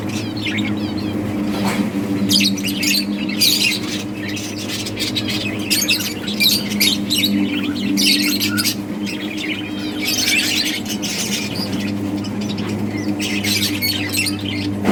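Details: Budgies chirping while they play in a breeding group: constant clusters of high twittering and squeaks come in waves over a loud, unbroken low hum.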